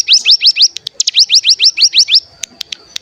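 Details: Bar-winged prinia lure sound meant to provoke other birds into singing, fast run of sharp upswept whistled notes, about ten in two seconds, then a few scattered clicks.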